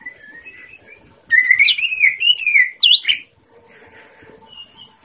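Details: Greater green leafbird master song for prompting quiet birds: soft whistles first, then a loud two-second burst of fluid warbled whistles and chips, followed by faint background chirps.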